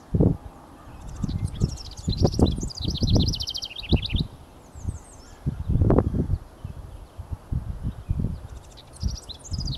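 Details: House wren singing at dawn from a pine treetop in Kennebecasis Park, New Brunswick, on 28 May 2023; a fast, bubbly run of high trilled notes, then a short fragment, and another burst near the end, partly masked by loud low thumping and wind.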